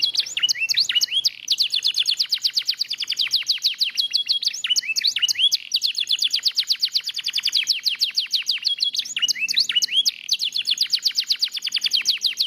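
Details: Lemon yellow canary singing vigorously, long unbroken stretches of rapid high chirped trills, with curling whistled phrases recurring every few seconds between the fast rolls of notes.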